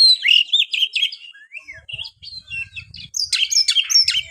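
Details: Oriental magpie-robin (kacer) singing, meant to prompt lazy kacer to sing: a rapid run of sweet whistled phrases and chattery notes, a short pause near the middle, then a dense burst of high scratchy notes, with soft low thumps beneath.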